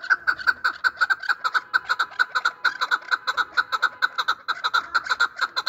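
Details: Chukar partridge calling for hunters, loud rhythmic chuck notes repeated roughly twice a second in an unbroken series, each note sharp and slightly buzzy.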